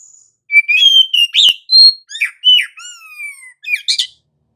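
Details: Oriental magpie-robin in lively gacor ngerol song, meant as a lure to set rival magpie-robins singing: a rich run of clear rising and falling whistles, sharp slurred notes and a long descending whistle, with a brief click partway through.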